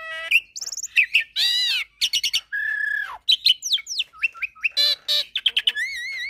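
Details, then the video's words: Black-collared starling tutor recording mixed with Nias myna and hybrid song: dense medley of sharp clicks, harsh rasps, sliding whistles and fast chirps, ending in quavering trilled whistles. "Masteran Jalak Suren dan Jalak Nias Dengan Kicauan Jalak Hybrid Nias X Suren Gacor Isian Unik"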